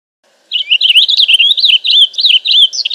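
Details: A Purple Finch delivers a long, rich warble of rapid rising and falling notes, bubbling on without a break for about two and a half seconds.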